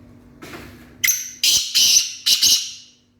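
A black francolin gives its loud, harsh call: a short phrase of grating, rasping notes, four or five in about two seconds, with a low hum underneath.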